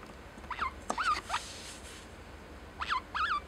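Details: Pet lineolated parakeet saying "love you" (daisuki) to its owner: a few short, bright warbled notes rising and bending, in two small bursts separated by a pause of over a second, in a quiet room.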